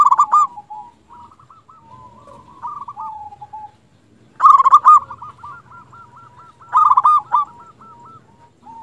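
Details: Zebra dove of local stock used as a lure to provoke rival doves into answering; strong rapid stuttering coo bursts at start, middle and near 7 seconds, fainter repeated rolling trills filling the gaps.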